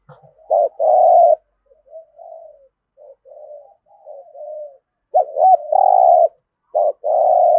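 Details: Spotted dove cooing in the full 'thổ' voice style, used to stir newly caught birds into calling: loud phrases of two short hooked notes and a long steady coo, with softer, wavering murmured coos between them.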